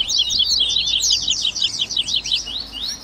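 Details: Busy 'baderninha' chatter from Double-collared seedeater, made to get a captive bird singing; a steady stream of rapid, high-pitched jagged chirps and trills, nearly without pause throughout.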